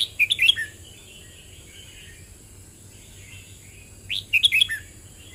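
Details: Two cheerful phrases from a red-whiskered bulbul, about four seconds apart, each of quick liquid whistled notes ending on a descending slur; soft warbling fills the gap.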